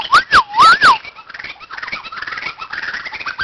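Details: White-crowned shama singing at a playground: a burst of loud, clear whistled notes that swoop down then up, repeated about three times in the first second, followed by softer, rambling warbled phrases.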